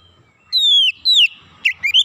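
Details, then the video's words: Calling Oriental magpie-robin: two long, clear descending whistles, each sliding downward, followed by a few short, rougher upswept notes; clean, quiet background. "kicauan terapi Kacer memanggil"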